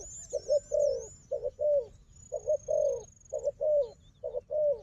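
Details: Wild dove known for fighting, calling with a decoy dove: low throaty coos in short-short-long groups, a gap midway, accompanied by high wavering whistles and one long thin whistled tone.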